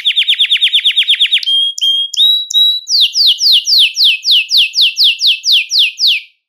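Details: Belgian canary song meant to stimulate males and bring females into breeding condition: a fast series of rising notes, then a few short flat whistles, then a run of evenly spaced descending slurred notes.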